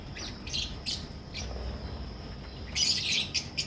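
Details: Lovebirds, albino red-eyed and personata red-eyed birds kept in a colony breeding setup in Pakistan, give sharp high-pitched chirps, sparse at first and then a loud burst of overlapping squeaky calls.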